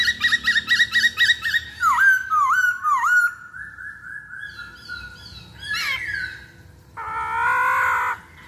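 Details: Song of a masked laughingthrush played to provoke other birds into song: a pulsing trill, dipping whistled notes repeated three times, a long level tone, a sharp burst, and a final rich, buzzy sustained phrase.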